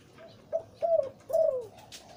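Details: Deep-voiced breeding male zebra dove in the Liu Tan song style gives three rolling, warbled coo notes, each longer than the last, the final one drawn out and slightly falling.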